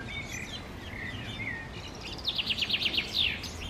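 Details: Common chaffinch singing in summer 2016 in Park Sanssouci: a rapid series of bright, evenly repeated notes descending slightly, ending in a short, sharp flourish, over faint background birdsong and a soft low rumble.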